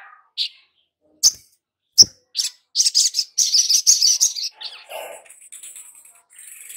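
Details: Lure recording of a long-billed spiderhunter for prompting newly caught birds to sing: a few spaced sharp chips building into a fast, dense stream of harsh high notes, then fading into softer chatter.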